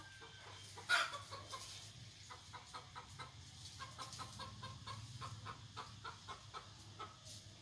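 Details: F1 red junglefowl decoy bird from Vietnam, with a loud short call near the start, then a rapid run of short clucks repeated several times per second over a low engine-like hum.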